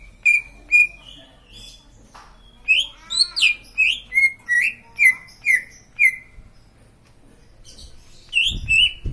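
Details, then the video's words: Green leafbird singing a string of clear whistled notes that dip and flatten, roughly two per second, ending with a brief low thump of handling noise. "Burung cucak ijo lain pasti ikut bunyi"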